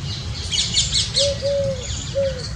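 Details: Indian scops owl, one of a family of five enjoying water in hot summer weather: short, clear, slightly downslurred whistled notes, three in about two seconds, with faint chirps of other birds behind.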